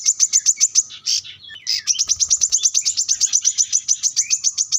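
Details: High, rapid series of ringing chips from a plain-throated sunbird seeking a rival. A short run, a brief buzzy interlude, then a sustained, evenly paced trill.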